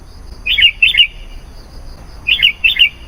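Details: Sooty-headed bulbul in chatty song meant to attract wild bulbuls: two pairs of short, bubbling, liquid phrases, each note rapidly rising and falling, separated by over a second of quiet.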